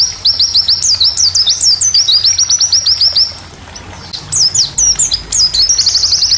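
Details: White-eye song for training birds in classes G12 and G16. Looping, warbled high phrases mix with a short run of quick falling chirps. A brief pause follows, then further varied twittering and a thin, buzzy high note.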